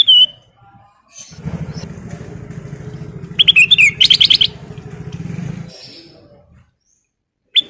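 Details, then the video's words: Kutilang emas bulbul singing its full, varied song. A burst of rapid, repeated buzzy notes rises above the loud drone of a passing motorcycle engine. Single whistled notes open and close the passage. "Burung kutilang emas Gacor full isian"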